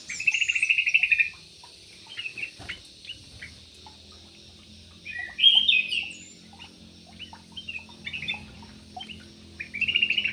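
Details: In an aviary, a Yellow-vented bulbul sings short, bubbly, chattering bursts at the start, middle and end, separated by quieter scattered chirps and soft ticks.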